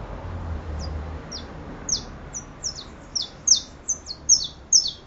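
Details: Saffron finch singing a series of high, sharp, downslurred chirps that begin sparse and become faster and louder, with doubled notes toward the end; faint low rumble in the background.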